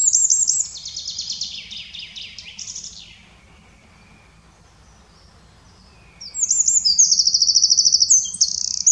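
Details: Eurasian wren singing in the Eifel, Germany: loud, rapid high-pitched trills and tumbling notes for about three seconds, a pause, then another fast metallic trilling burst; low background rumble.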